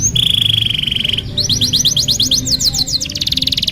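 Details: Canary master song used for training young canaries: a long steady whistled note, then a series of quick rising sweeps repeated about ten times, ending in a fast trill, over low background noise.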